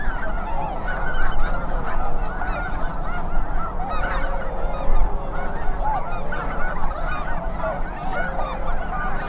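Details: Huge migrating flock of geese, tens of thousands of Snow Geese plus Greater White-fronted, Ross's, Canada and Cackling Geese, honking continuously in overlapping nasal yelps and barks over strong wind; North Ottawa Impoundment, Grant County, western Minnesota.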